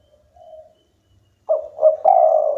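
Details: Vigorous local spotted dove: a soft, quiet coo, then a loud phrase of two quick coos leading into a long, sustained husky note.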